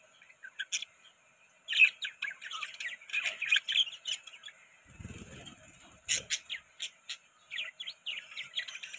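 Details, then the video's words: Budgerigars chirping while eating soft food: busy, rapid high chirps and warbles in bursts, with a low rustling noise near the middle. "Budgies Chirping Sound"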